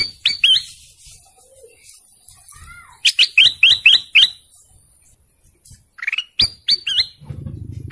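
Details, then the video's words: Golden canary song made of sharp rising chirps and quick repeated notes in clusters, with a brief soft downslurred whistle between bursts and a low rumble at the end. "GOLDEN CANARY BIRDSONG"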